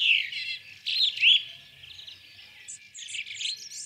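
A sparrow gives bright, chirpy notes high in pitch: a burst of quick chirps, a short pause, then more scattered twittering.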